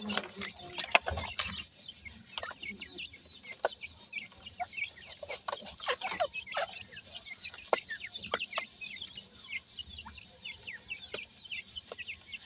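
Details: Grey francolin chicks while feeding: a dense stream of short, high, thin peeps, many rising or falling, overlapping from several chicks, with frequent sharp tapping clicks throughout.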